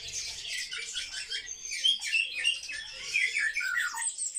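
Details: A group of captive sparrows, highly social birds, gives rapid overlapping chirps and squawks in uneven bursts, some notes dropping sharply in pitch near the end.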